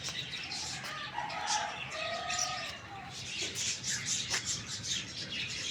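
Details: Rooster crowing in the morning: a drawn-out, tonal crow lasting about two seconds, partly buried under constant high twittering and chirping from many small birds.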